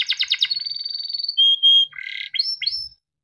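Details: Yellow Timbrado canary song fragment: a fast rattling trill flows into a thin drawn-out whistle and two pure level tones, then a buzzy note and two falling whistles before stopping.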